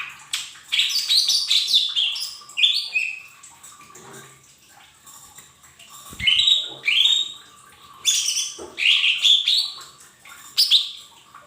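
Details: Lesser green leafbird, cage birds' training song used to prompt young birds to sing: bursts of rich, descending whistled and chattering phrases around the high range, separated by quieter pauses, over a faint steady hum.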